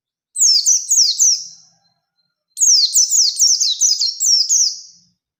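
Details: Oriental white-eye singing hard in rolling, shooting wild-style song to find an opponent, used as a lure. Two bursts of very high, rapid down-slurred notes tumble together, separated by a second of silence.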